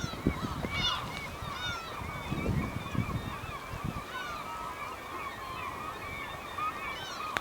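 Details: Black-tailed gulls, more than a hundred, at a port in Hokkaido, Japan, August 2010: a more distant, softer wash of overlapping mewing cries with a few clearer nasal calls, over steady low rumble and knocks.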